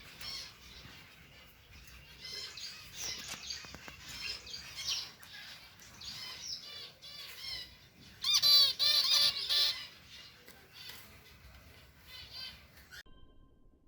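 Zebra finches chatter with rapid, nasal, buzzy notes and a brighter burst of song.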